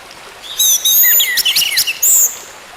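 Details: Song of an orange-headed thrush, meant to coax a silent bird back into full song. A dense phrase of very high whistles and quick slurred notes, ending with a sharp high note.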